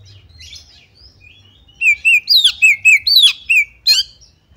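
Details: Female Oriental magpie-robin luring others of its kind into song: faint scratchy twitters lead into a fast run of loud whistled downslurs and upsweeps, about three notes per second, ending in a sharp burst.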